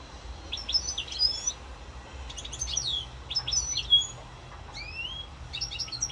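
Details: On 7 November 2022 in Corsica, a European goldfinch sings bright twittering phrases of quick up- and down-slurred notes, broken by short pauses and a couple of clear rising whistles.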